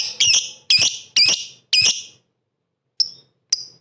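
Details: Lovebird calling to provoke competing lovebirds: four loud, shrill, harmonic squeaky notes about half a second apart, a pause, then two thinner high chirps.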